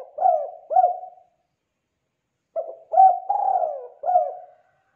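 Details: Spotted dove song for teaching young doves to sing: two clipped coos close a phrase, then after silence a new phrase of quick notes rises into a long falling coo and one final short coo.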